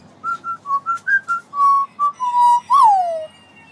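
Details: Australian magpie giving a whistled phrase of short clear notes stepping up and down in pitch, then longer held notes ending in a loud whistle that rises briefly and slides down.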